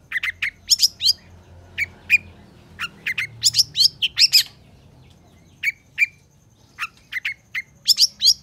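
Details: Long-tailed shrike singing energetically, used to tutor reluctant shrikes. Clusters of scratchy, buzzy notes alternate with clear short whistles, broken by pauses of a second or more, then a fresh burst of harsh chirps at the close.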